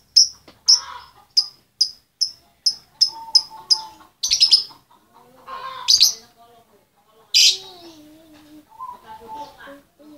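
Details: Female lovebird calling to the male: a run of short, sharp, high chirps at a steady pace, then louder harsh squawks with lower, fainter tones in between.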